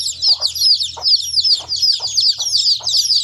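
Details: Baby chicks chirping steadily: a quick run of high, bright, arched peeps, roughly two or three per second, overlapping one another with no pause, plus a faint low hum underneath.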